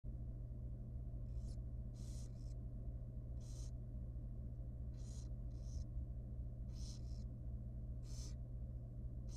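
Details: Wild, very young barn owl nestling in a monitored nest box at feeding time. Soft, breathy hissing bursts come at irregular intervals over a steady low mechanical hum.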